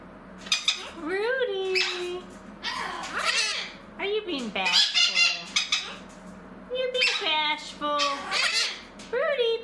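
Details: Indoor pet Blue-crowned conure producing a busy run of warbled, speech-like tonal calls and harsh squawks, nearly continuous with short pauses, over about ten seconds.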